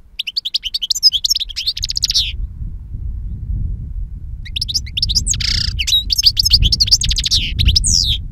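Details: European goldfinch, aged two years, in silvestre-style wild song; rapid twittering trills open the recording, then a gap of low rumble, then a longer run of bright chattering notes with a buzzy note among them.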